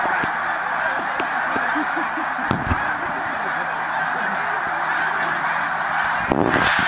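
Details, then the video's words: Huge mixed flock of snow geese and Canada geese with tundra swans flying over Middle Creek, Pennsylvania, on 16 March 2015 during annual migration; a dense, roaring wall of overlapping honks with sharp clicks and knocks near the microphone. "Mega Snow / Canada Geese Tundra Swan Flyover"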